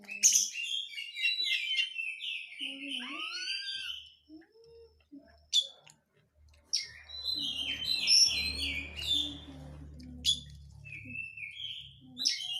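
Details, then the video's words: Oriental magpie-robin lure recording with tight crecetan chattering, used to goad birds into song: bursts of rapid scratchy twitters and varied whistles separated by short gaps, with a faint low rumble underneath in the middle. "pancingan kacer susah konslet dengan suara crecetan rapat awas kacer anda lansung ngamuk!"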